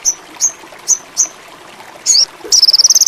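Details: Sogon indigo, a bird in high mating condition, giving four spaced, thin, high chirps, then a brief sliding buzzy phrase, then the start of a rapid, very high pulsed trill.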